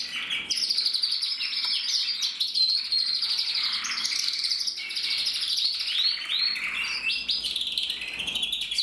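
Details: Crested red-black male canary, bred in 2024, singing a continuous high, bright song of rapid trills and twittering phrases without pause, steady in loudness throughout.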